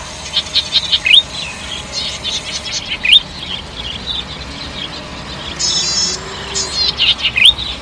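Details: Golden-headed cisticola delivering bursts of high buzzy notes mixed with quick upslurred chips, including a longer rasping trill midway, repeated several times over soft background noise.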